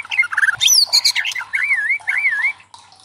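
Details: White-rumped shama song played to challenge other shamas to sing: quick jumbled chirps, then two clear undulating whistled phrases that rise and fall smoothly.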